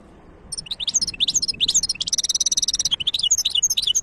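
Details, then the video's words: Goldfinch hybrid from 2023 delivering lively song: quick high chirps and slurred twitters, then a sustained buzzy trill about a second long, followed by more bright warbling notes. "تغريد وابداع هجين الحسون ولا اروع"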